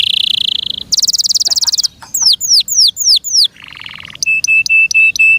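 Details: Canary cared for by its keeper, singing a loud varied phrase: steady buzzy trills, falling whistled sweeps repeated rhythmically, a lower rattle, then a row of short flat piping notes.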